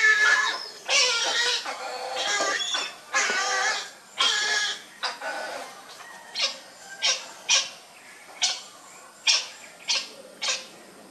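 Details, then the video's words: Baby grey heron during feeding: several long, drawn-out harsh wheezing cries at first, then shorter clipped notes repeated roughly every half second toward the end. "Baby gray heron feeding"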